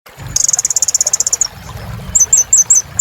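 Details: Sunbird known locally as kolibri ninja singing vigorously, played to get silent caged birds singing again: a fast, even high trill of about twenty pulses, then a pause and a run of short, downslurred high chips.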